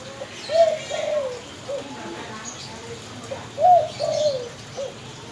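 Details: Spotted dove cooing, with two separate phrases of soft, hollow, mid-pitched coos, each a quick rising note followed by a longer falling one, about three seconds apart. Faint background hiss throughout.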